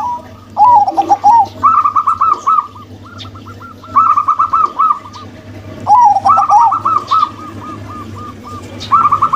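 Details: Zebra doves, a local-type female and a crossbred male, singing: three long phrases about every 2.5 seconds, each a quick wavering coo followed by a string of bright, rhythmic pulsed coos, with a low steady hum beneath.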